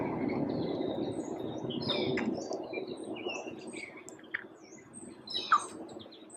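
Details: A Wood Thrush sings fluty, ringing phrases ending in a brief trill at Mount Auburn Cemetery, Cambridge, Massachusetts, during May spring migration, set among scattered chirps of other birds, with wind rumble early on.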